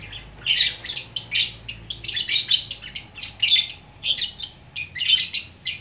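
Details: Lovebird in Bukittinggi, West Sumatra, in a long 'gacor orkestra' chattering song: dense bursts of shrill, harsh, buzzy twittering packed high in pitch, rising and falling in rapid runs with brief gaps between phrases.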